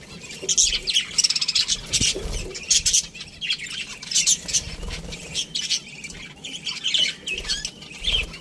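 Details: Budgerigars in an aviary, a dense flock of overlapping high chirps and warbles with scratchy bursts, rising and falling in waves, with occasional wing flutters and low thumps.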